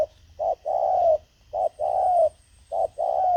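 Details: Decoy spotted dove cooing to attract wild birds: a phrase of one short low note and one drawn-out mellow coo, repeated three times about every 1.3 seconds, over a faint low hum.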